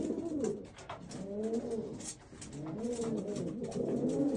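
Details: Old German Owl pigeons give repeated low, arching, gurgling coos that rise and fall in overlapping phrases, accompanied by intermittent clicks and scratching sounds.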